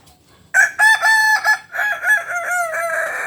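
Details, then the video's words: Kukuak Balenggek rooster of the biriang kuniang type, a pure-bred bird from Solok, West Sumatra, crowing: a loud, harmonic, terraced crow of several stepped, wavering syllables that runs on for nearly three seconds after a quiet start. "Ayam kukuak balenggek"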